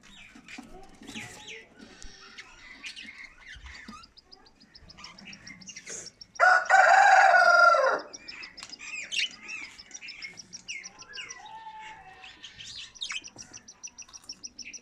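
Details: Pet budgerigars at feeding time on 14 March 2024 chatter with quick high chirps and warbles, broken midway by a loud, crow-like call.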